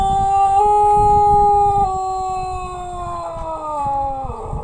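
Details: Pelung chicken from Plered, Purwakarta Regency, crowing: one long, loud, smooth held note that steps down slightly at about two seconds, then slides gradually lower before breaking off, with rough background noise underneath.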